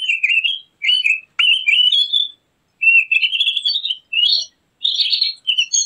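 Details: Javan grey-throated white-eye song used for luring or training birds: a string of short, sweet, wavering warbled phrases, rising at their ends, with brief gaps between.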